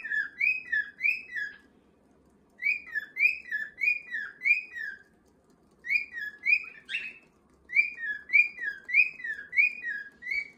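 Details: Pet cockatiels indoors, one young male trying to join the others' whistled 'cockatiel march': bright whistled notes sliding down from about the same pitch, in quick runs of five to six, separated by short pauses, with faint room hum beneath.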